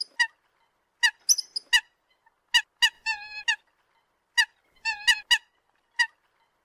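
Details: Eurasian coot (Fulica atra) giving short, nasal, honking notes in loose pairs and triplets, with two longer, buzzy, trumpeting calls; nothing else is heard.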